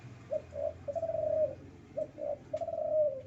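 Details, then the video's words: Male spotted dove in breeding condition cooing: two short mellow coos followed by a longer drawn-out coo, the three-part phrase given twice in about three seconds over a low background hum. "Suara Burung Derkuku jantan birahi"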